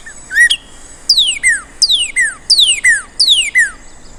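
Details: Northern Cardinal song, likened to "what cheer" or "pretty purty party": a rising opening whistle, then loud, clear notes sliding steeply downward, repeated about every two-thirds of a second over a quiet background.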